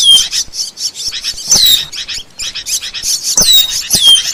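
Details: An Asian glossy starling, on a bird-training recording, delivers rapid pulsed squeaky chatter, very high, punctuated by several clear down-slurred whistles and brief gaps.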